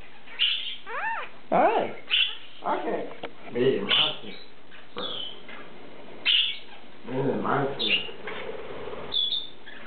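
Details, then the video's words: Three pet lineolated parakeets chatter in short, speech-like mimicked phrases such as "hi", "ok", "me monster" and "good boy", plus growls, broken by sharp high chirps every second or two, with brief pauses between bursts. "Lineolated Parakeets Talking"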